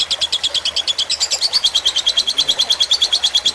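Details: Lovebird of the fighter type, in a tutor recording for training cage birds, with trickling water added to relax them: fast chattering run of sharp high chirps, about three per second, evenly pulsed throughout.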